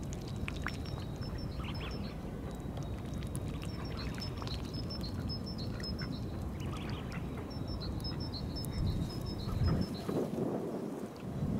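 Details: Tufted duck mating call: thin, high whistled notes in short strung-out series, repeating in three bursts over the clip, above a constant heavy rumble of wind or water.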